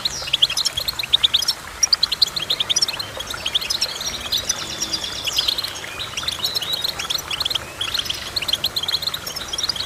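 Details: Goldfinch song of rapid tinkling chirps and rolling trills, with stronger sharp notes early on and a steady twittering chatter after that.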